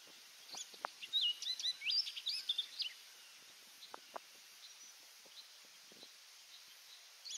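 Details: Orchard oriole singing at Donnelley WMA in coastal South Carolina: a quick jumble of high whistles and chattering notes lasting about two seconds, followed by scattered faint clicks and ticks against steady background hiss.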